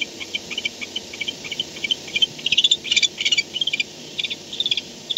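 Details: Barn owl at its nest at 4:38 am on 2-10-16, recorded by camera as an adult comes home; quick strings of high, scratchy ticking notes building to a dense chattering burst around the middle, then tapering.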